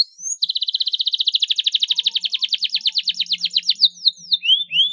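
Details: Canary master song, clear and clean, in the rolling (ngeroll) and ngerek style; a rising whistle opens into a long, fast roll of identical high notes that slows toward the end, followed by a few sweeping whistles.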